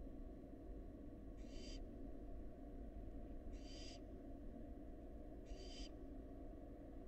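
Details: A wild barn owl fledgling at a monitored nest box gives three short, breathy hisses about two seconds apart over a steady low background rumble.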